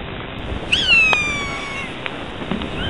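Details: Galapagos hawk, the islands' endemic hawk, calling while raising chicks on the Galapagos Islands: one drawn-out, high, ringing scream that slides downward for about a second, followed by a few sharp clicks and knocks.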